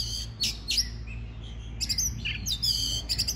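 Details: Oriental magpie-robin singing to stimulate other birds into song: a few high whistled notes and short buzzy phrases, separated by pauses, over a steady low hum.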